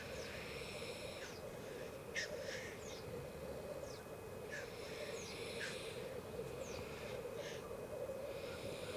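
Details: Black grouse at a lek in Elverum in 2008, with 38 males in total. A steady bubbling chorus runs throughout, broken by repeated harsh hissing sneezes about once a second. Thin descending whistles come from other birds.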